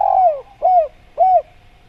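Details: Jungle recording of a spotted dove (tekukur): a long coo falling at its end, followed by two shorter arched coos at even spacing, mellow and hollow.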